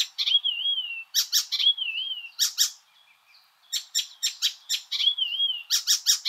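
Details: Icterine Warbler song alternating a wavering, warbled whistle with loud, grating broadband notes, the whistle-then-rasp pattern recurring several times over six seconds.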